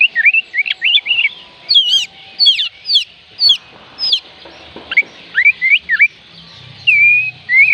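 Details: Oriental magpie-robin song used as a trigger for quiet birds to start singing: a lively series of varied whistled notes in quick phrases, rising and falling, with brief gaps and a soft low hum near the end.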